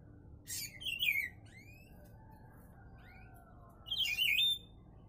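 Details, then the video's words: Papa-pimenta song: two bright, scratchy chattering bursts about three seconds apart, high-pitched, with faint thin whistled slides in between. "Canto Do Papa Pimenta"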